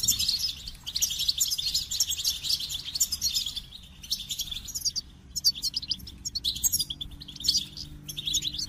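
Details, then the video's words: Goldfinch song: a rapid, high twittering stream of tinkling notes and buzzy trills, with brief pauses between bursts and a low steady hum underneath. "The Captivating Call of Goldfinches"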